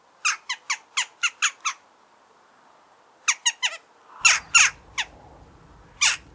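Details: Natural recording of a Eurasian jackdaw: a quick run of seven crisp, squeaky notes, a short burst of four, then louder, rougher calls over a low rumbling background.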